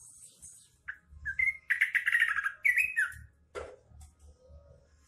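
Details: Trucuk, or sooty-headed bulbul, delivering green leafbird (cucak ijo) imitation: a few short whistles swell into a dense, buzzy, warbling burst, then a slurred falling note, followed by a brief harsh sound and a soft low whistle.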